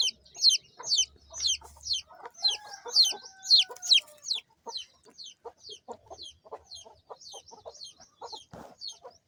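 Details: Small local chicken chicks chirping: loud, high falling peeps at first, growing fainter and softer, mixed with lower clicking and scraping sounds.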